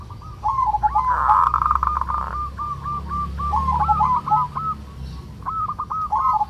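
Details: Zebra dove of a local strain singing its 'kerot' song, used to stir breeding urge in other doves: repeated rolling, bubbling coo phrases broken by a short harsh buzzing burst, with a steady low hum behind.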